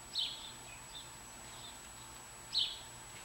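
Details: A bluebird at a nest in June–July 2019 gives two brief, high chirps about two seconds apart, with a few fainter notes between over a quiet background hiss.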